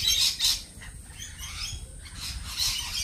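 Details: Lorikeets giving quick, harsh, high screeches in short bursts, several within three seconds, over softer background chatter.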